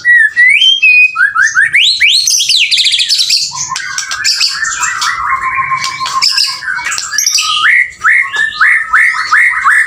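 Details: Lively song from a male white-rumped shama: rising whistled slurs climbing into high buzzy trills, then a long chattering stretch and a close of repeated upward-flicked whistles.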